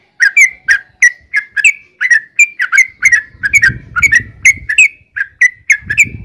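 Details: Sooty-headed bulbul in gacor form, recorded as a lure for other bulbuls: about twenty short, sharp, whistled chirps given one after another, some doubled, with soft low rustling in the background.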